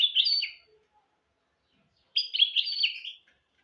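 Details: Two short phrases from a goldfinch × canary hybrid used as a singing tutor for goldfinches and canaries: buzzy, high twittering with a drawn-out whistle, separated by over a second of silence.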